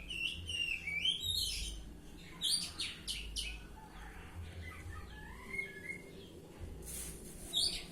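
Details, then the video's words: Oriental magpie-robin, called kacer, singing ngeplong: irregular bursts of high chirps and warbled whistles, some softer falling notes, with low hum and background noise between phrases. "Kacer Ngeplong"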